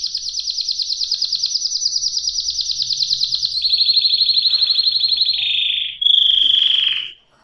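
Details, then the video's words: Singing canary holds a quick pulsed trill, steps it down in pitch twice, then switches to a louder, purer whistled roll before stopping. "صدای قناری"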